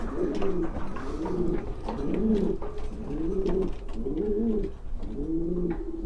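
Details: Racing pigeons of the Black Eagle type, breeding pairs kept in a loft: low, throaty, rolling coos in short phrases repeated about once a second, with light clicks and rustling in the background.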